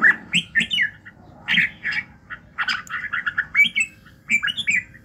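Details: In the morning, a red-whiskered bulbul sings a training song meant to fire up other birds: clear, slurred whistles and chattering notes in short clusters with brief gaps, a thin steady hum behind.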